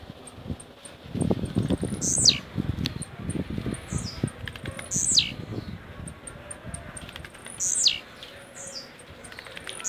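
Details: Caged blue-black grassquit, Jacarepaguá, Rio de Janeiro, Brazil, repeating its rojão song: steep buzzy downslurs roughly every three seconds, each trailed by a softer slur, with high clicks and dull thumps from movement.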